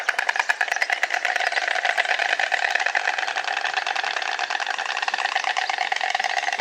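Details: White Stork (Ciconia ciconia) recorded in the wild, clattering its bill in a fast, steady, machine-like rattle of hard clicks that keeps going for nearly seven seconds without a break.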